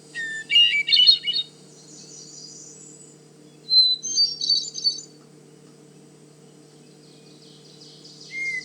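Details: Hermit Thrush singing in the cedar swamp of Manchester Cedar Swamp Preserve, New Hampshire: a long opening note climbing into a fluted, metallic whirl, two phrases about three seconds apart, each pitched differently, over a low steady hum.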